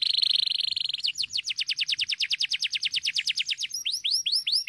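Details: Canary song, a sustained high buzzy note followed by a long, rapid rolling trill of repeated down-swept notes, about eight per second, ending in slower upward-curving whistled notes.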